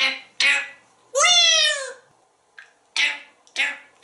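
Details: Pet male African grey parrot, hatched in 1997, kept indoors at home in Texas, singing and mimicking speech: a few short breathy syllables, then a long harmonic squawk that rises and falls, followed by two more brief voiced syllables.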